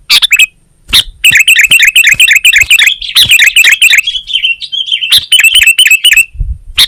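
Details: Sooty-headed bulbul (kutilang) singing vigorously in Indonesian gacor style, as a masteran training recording for songbirds: dense runs of bubbly, fluty warbled notes, some sharp clicking chips between phrases, and a short pause near the start.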